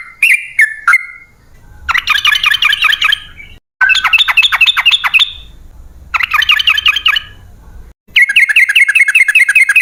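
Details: Sooty-headed bulbul in the long rapid-trill style, played as a lure for wild birds: a few liquid opening notes, then fast chattering bursts of several seconds each, broken by short silences, with low background rumble.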